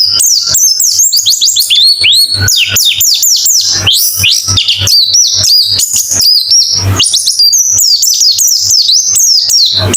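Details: White-eye in a therapy recording meant to get birds singing fast with open beak: rapid, dense stream of high chirps and sharply falling whistled notes, almost without pause, over a steady low electrical hum.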